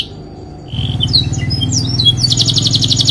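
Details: Canary singing loudly: after a brief quiet start, a varied run of short whistles and chirps ends in a fast, buzzy rolling trill, with a steady low hum beneath.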